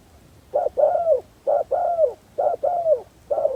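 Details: A decoy spotted dove used to attract wild doves, repeating its mellow two-part cooing phrase: a brief note, then a drawn-out dropping coo, given rhythmically about once a second against a quiet background.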